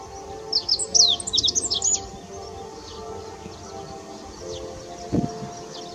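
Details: Meadow bunting song along the Ōhori River, mid-May: a rapid phrase of sharp, high twittered notes lasting about one and a half seconds, followed by quieter background with distant calls, a low hum and a brief thump.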